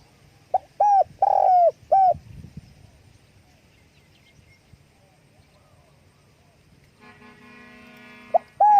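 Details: Spotted dove calling with wing flapping: one mellow phrase of a short note, a coo, a longer burred descending coo and a final coo. Then a long quiet gap, and a steady buzzing harmonic tone near the end.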